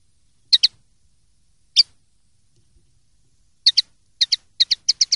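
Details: Common linnet, 'pardillo limpio' clean-style song: sharp paired chirps separated by pauses, then a faster string of twittering double notes building toward the end, in otherwise silent surroundings.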